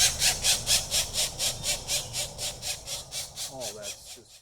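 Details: Fed pileated woodpecker chicks, April 2024, give steady hissing begging bursts several per second that fade toward the end, with brief human speech near the close.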